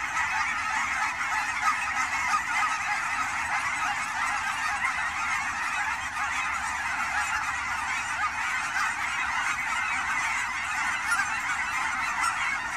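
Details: Crowds of Canada geese on autumn migration at Fern Hill Wildlife Area ponds, Forest Grove, Oregon, keep up a long, dense honking din, overlapping calls forming a steady roar of goose voices.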